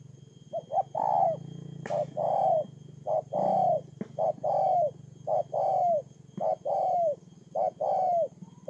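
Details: Ground decoy spotted dove, recorded in Tumorong, Kon Tum, Vietnam on 23 September 2018, cooing steadily in repeated phrases. Each phrase has one or two short notes and then a longer falling coo, about once a second, over a constant low buzzing hum.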